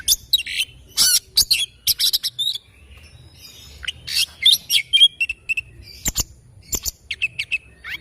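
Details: Morning song of an oriental magpie-robin, a lively medley of high chirps, rasping bursts and clear whistled notes delivered in irregular quick phrases about two per second, with brief quiet gaps.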